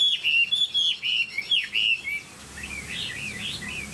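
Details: Caged Chinese hwamei, a tame bird, giving loud clear whistles in short repeated swoops for about two seconds, then quieter, higher twittering notes over a soft hiss.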